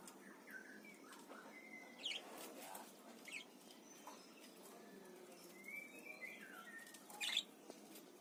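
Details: A pair of parakeets from Indonesia. They give scattered sharp chirps and short warbled, wavering notes, with a busier chattering run near the end, against soft flapping and rustling noise.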